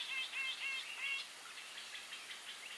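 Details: Grey-eyed bulbul giving a quick series of nasal, slightly squeaky notes, loud at first then fading into softer chatter.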